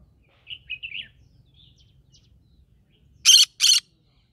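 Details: Green-cheeked conure in the middle of a rice field: a short run of soft, chirpy whistled notes, a pause, then two loud, harsh, rasping squawks close together.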